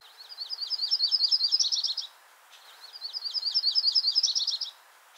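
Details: Yellow-rumped Warbler, a winter bird of eastern North America, singing its two-part trill: two loose, high trills about two seconds long, each a run of quick sweet notes that changes pace near the end; otherwise quiet.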